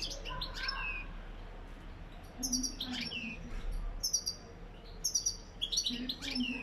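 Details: Goldfinch song, lak lak style: bright, high twittered phrases in short bursts roughly every second and a half, with slurred downward notes between them and a faint low background hum.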